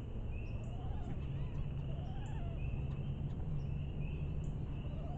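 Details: Many wood ducks calling to each other at night in Hanover County, Virginia, trade thin, rising squeaky whistles about every half second, with lower rising notes between, over a steady deep rumble.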